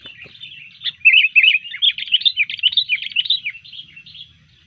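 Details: Disturbed sooty-headed bulbul in fighting mood, pouring out a fast, continuous run of bubbly, warbling chatter that swells loud after a quiet start and fades near the end.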